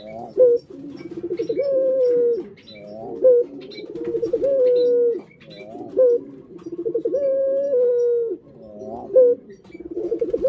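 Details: Kept collared dove coos in regular rounds roughly every two to three seconds. Each round opens with a sharp accent, then a wavering pulsed roll and a sustained mellow note.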